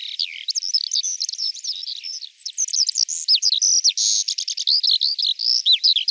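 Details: Eurasian skylark from Russia singing a continuous, rapid warbling stream of high trills, chirps and whistled slurs without pause, the phrases tumbling quickly over one another.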